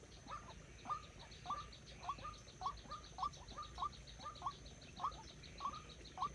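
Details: White-breasted waterhen kept as a decoy bird for trapping, calling a steady series of short, hooked, croaking notes, about a dozen in six seconds, roughly every half second, over a constant background hum.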